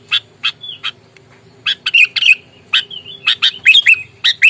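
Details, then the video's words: Sooty-headed bulbul, a lure bird calling aggressively in fighting mood to provoke rivals: harsh, buzzy chattering notes in short bursts, some with brief whistled slurs, separated by pauses, over a faint low hum. "Kutilang gacor, galak, tarung, full suara alam, bikin emosi lawan"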